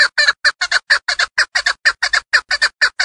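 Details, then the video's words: Fast paired chuck notes, harsh and clucking, repeated about twice a second by a female hunting chukar partridge from Darvoz district, Tajikistan. "Садои Модкабки Шикори 70 та гиро аз н.Дарвоз. Голос птиц как поёт горная Куропатка."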